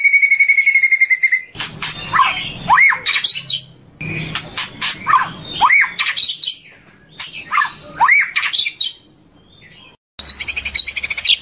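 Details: White-rumped shama (murai batu) from a long morning training recording: a steady whistled note, then a varied run of sharp clicks, swooping slurred whistles and chatter, a brief pause, and a harsher buzzing phrase at the end.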